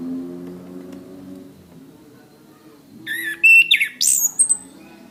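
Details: Orange-headed thrush song from a master recording for training cage birds: after about three seconds of low humming, loud whistled and buzzy notes sweep up and down in quick bursts.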